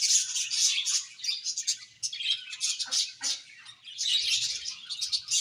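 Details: Happy colony of budgerigars keeping up steady high, chattering warbles with rapid squeaks, briefly dropping near two seconds before the busy chorus returns.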